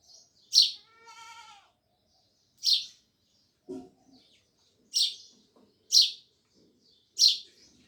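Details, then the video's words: Sparrows chirping loudly: five sharp, bright cheeps at irregular gaps, a drawn-out nasal note with stacked overtones early on, and a soft low thump midway. "Sparrows Loud Chirping Sounds"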